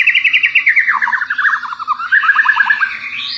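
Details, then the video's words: White-rumped shama song for provoking other shamas: a fast pulsing trill sliding downward, then a second rising trill ending in a high whistle. "Kalo murai anda respon berarti burung anda prospek wajib di pelihara."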